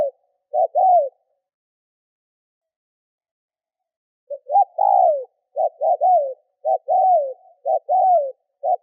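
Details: Spotted dove decoy coos to stir up wild birds: two mellow two-part phrases, a pause of about three seconds, then a run of short-then-long falling coos in close succession.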